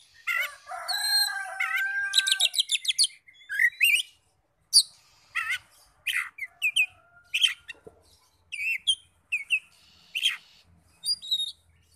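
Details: Kacer (Oriental magpie-robin) lure song for provoking other magpie-robins to sing: opens with a grating, buzzy stretch and fast stuttered notes, then separate sharp chirps and short curling whistles repeated at irregular intervals.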